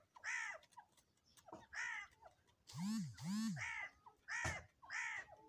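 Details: Grey francolin, called Irani dakhni teetar, giving harsh, nasal repeated calls in short bursts about every second, with a brief stretch of human voice in the middle.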